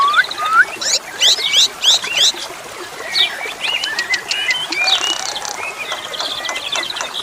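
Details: Asian pied starling song opening with loud rising whistles and clipped chirps, then breaking into scratchy bursts and thin high notes, while flowing water hisses steadily underneath.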